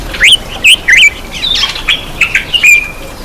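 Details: Black-eyed bulbul at its bath: a rapid series of loud, squeaky chirps, each bending sharply in pitch, ending on a drawn-out level whistled note.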